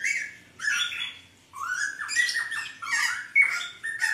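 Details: Hooded butcherbird delivering bright, sustained whistles that rise and level off, interleaved with scratchy squawks in quick succession after a short pause, heard indoors against a faint hum.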